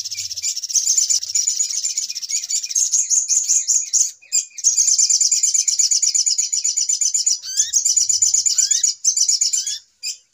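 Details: Little spiderhunter chattering as a trapping lure: an extended, fast, high-pitched rattle of repeated notes lasting several seconds, a short break, then more chatter with rising whistled slurs near the end.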